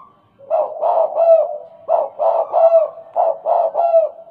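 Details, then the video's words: Tame spotted dove (tekukur) in the stuttering 'gagap' style, an eager caller, giving three groups of three quick, hoarse, throaty coos, each group of notes rising then dipping, with short pauses between groups. "Suara tekukur,, gagap jinak dan gaccor..."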